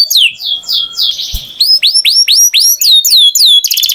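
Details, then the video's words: Canary singing, with a fast series of downward-sweeping whistled notes at about four per second, then a run of rising upslurred chirps ending in a quick buzzy trill; a brief low thump midway. "Canary Singing Beautifully"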